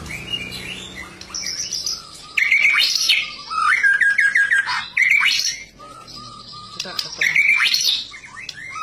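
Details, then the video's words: White-rumped shama (murai batu) singing vigorously (gacor): bursts of loud, varied whistled phrases with rising and falling notes and rapid trills, separated by short quieter pauses. "murai batu gacor owor owor"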